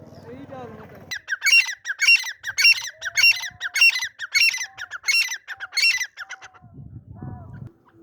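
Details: A male grey francolin gives a loud, shrill, ringing call of about ten sharp notes, two a second, with a person's voice before and after.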